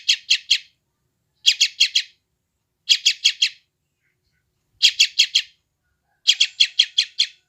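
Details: Chick of the sooty-headed bulbul, West Java, Indonesia, captured on an Android phone, giving five clusters of three to six harsh, high chirps with roughly one-second pauses between them.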